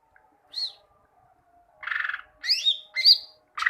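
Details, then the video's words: Greater green leafbird song for teaching leafbirds to sing: a single thin descending whistle, a pause, then a buzzy rasping burst followed by clear sliding whistles and the start of another buzz. "Masteran cucak ijo, masteran burung cucak ijo agar cucak ijo rajin bunyi"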